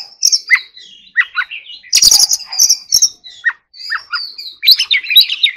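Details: Oriental magpie-robin in song training, forest-voice style: whistled phrases and sharp downward notes, a harsh buzzy burst near the middle, and a busy twittering finish.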